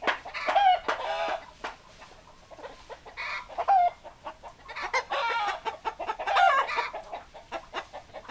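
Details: Flock of chickens clucking, clusters of harmonic clucks separated by quieter gaps, a few rising squawks and a louder run of cackles toward the end.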